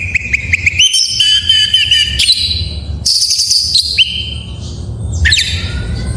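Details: Full isian song from an Oriental magpie-robin, used as a tutor to get other birds singing: a sustained whistled trill, then a harsh buzzy burst, rising whistles and rapid scratchy notes, over a low hum.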